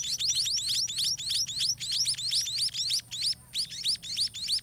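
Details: Baby white-rumped munias, also called white-rumped mannikins, begging loudly in their nest during feeding; shrill overlapping chirps, each a quick rising-falling squeak, delivered in rapid pulsing bursts.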